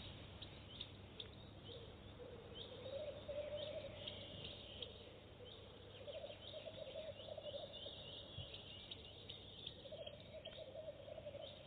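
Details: Goosander on its first visit to a nest box, laying eggs directly; repeated bouts of fast, pulsed, gobbling chatter come and go through the recording, with steady background noise.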